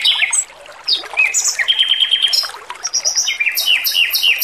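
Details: Male robin singing actively in a training recording for cage birds: a lively mix of high chirps, a short steady whistled note and rapid trilled phrases, over faint background water noise.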